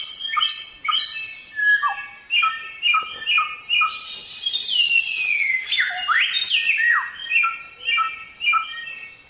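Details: Training recording of black-throated laughingthrush (samyong) song in gacor style. Steady series of short, clear, falling whistles is broken mid-way by loud sweeping slurs, then the short falling notes resume.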